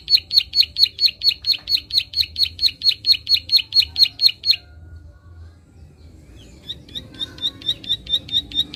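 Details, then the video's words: Around twenty-one loud, crisp chirps from a prinia over four and a half seconds, a two-second lull, then a softer clicking run; call intended to rouse untrained birds. "Prenjak Klik gacor ampuh merangsang burung bahan"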